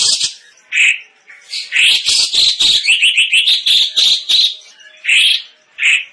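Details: Cucak cungkok, a songbird kept as a vocal tutor for competition birds, its voice described as loud and dense: bright, chattering bursts of clear notes run together in a fast phrase mid-clip, with short separate whistled notes before and after.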